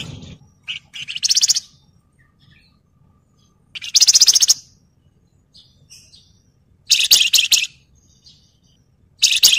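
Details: Wergan jawa, the Javan fulvetta, giving ngebren rattles on a tutoring track for other birds: dense, harsh, buzzy bursts about half a second long, repeated every few seconds, with faint scratchy notes between them.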